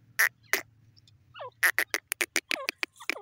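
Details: Female grey francolin, locally called teetar, giving loud harsh calls: sharp broadband notes in an irregular series, several with falling squeaky tails, with faint low hum beneath.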